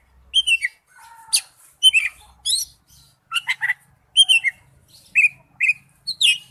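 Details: Forest-voice song of an Oriental magpie-robin, the wild-type style: well-spaced short phrases mixing lower whistled notes, slurred chips and sweet descending whistles, each group separated by short silences.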